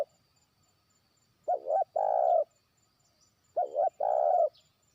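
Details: Trained decoy spotted dove calling out to a distant rival; two phrases of two brief coos leading into a long, steady, purring croo, about two seconds apart, background otherwise still.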